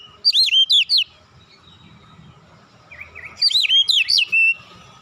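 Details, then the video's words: Oriental magpie-robin song played as a lure to make untrained magpie-robins sing; two bursts of loud, wavering whistled notes in quick succession, separated by about two seconds of near silence. "kicauan nyantai pancingan ampuh Kacer bahan cepat gacor"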